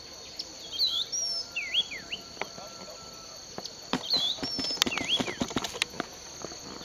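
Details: Unidentified bird in a sugarcane field at Bulechia, Western Kenya, December 2011, giving curling whistled phrases and short high slurs, with a constant insect hum and a burst of clicking and rustling in the second half.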